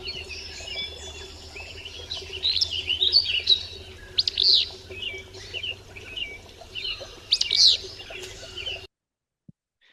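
Willow Flycatcher giving two hoarse, sneezy fitz-bew phrases about three seconds apart, over steady chirping from other birds.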